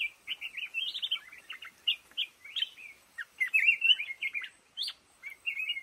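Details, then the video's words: Black-crested bulbul in lo o bamboo, chattering sweet whistled notes in rapid bursts, each phrase a wavering run of bright chirps, clear against near silence. "tiếng chim hót trong bụi lồ ô"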